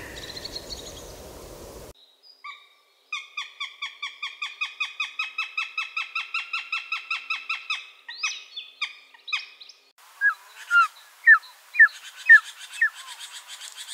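Northern Goshawk giving a fast, steady run of harsh, nasal kek notes, about two per second, then a few scattered sharper calls from other raptors.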